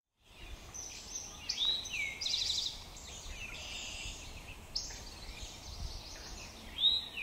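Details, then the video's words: Male Eastern towhee singing on 26 June 2024 at Pleasant Valley Wildlife Sanctuary, Lenox, Massachusetts: a sliding note, a lower note and then a buzzy trill, with the start of a second song at the end. Other birds twitter faintly behind. "eastern towhee singing"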